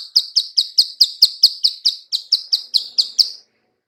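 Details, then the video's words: Bar-winged prinia female clicking call, used for luring birds: thirteen crisp, high clicks delivered evenly over about three and a half seconds, then silence. "suara klik- klik betina/ciblek sawah"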